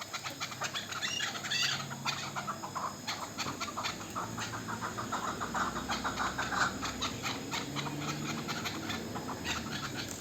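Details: Young local chukar partridge hatched last year, calling with dense, repeated clucking chuk notes that come in loose bursts across ten seconds, with a faint low hum beneath.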